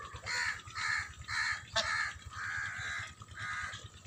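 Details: Farm geese, white and happy in water, honking loudly and almost without pause: six drawn-out harsh nasal calls in four seconds, with a faint low throbbing underneath.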